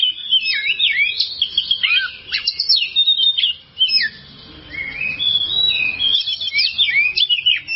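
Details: Long masteran recording of the kacer, or oriental magpie-robin, for training other caged songbirds: a lively stream of loud, varied whistles, rising and falling slurs and quick notes, with a brief quiet gap midway.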